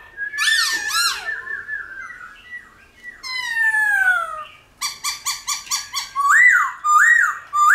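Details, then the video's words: Laughingthrush singing in a mature wild voice, for training newly caught birds: harsh harmonic squawks, a long descending whistle, a quick series of evenly spaced rich notes, then loud arching whistles. "Khướu Hót giọng GIÀ RỪNG - GIỌNG HAY - NHIỀU GIỌNG kích khướu bổi. luyện khướu bổi hót căng lửa"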